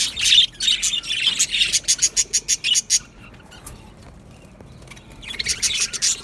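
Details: Budgerigars in an aviary colony: a burst of loud chattering, then a run of short sharp chirps repeated several times a second that fades to near quiet before the high chatter resumes.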